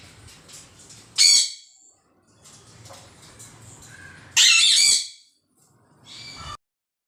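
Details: Green pet parrot letting out two loud, harsh, raspy squawks about three seconds apart, each lasting roughly half a second, then a softer, shorter squawk near the end, with quiet room noise between.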